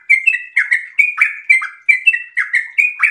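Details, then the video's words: Sooty-headed bulbul in breeding condition singing an extended rapid 'ropel' song: a quick string of short slurred whistled notes, each falling or rising, about two per second, with a bright, chattering tone. "trucukan gacor birahi ropel super panjang"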